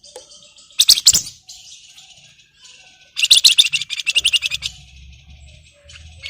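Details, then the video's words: Flamboyan in breeding condition answering a rival with buzzy chatter phrases, then a long, fast, pulsed rattling trill, with a faint low droning hum underneath. "SUARA PANCINGAN BURUNG FLAMBOYAN BIRAHI GACOR MANGGIL LAWAN"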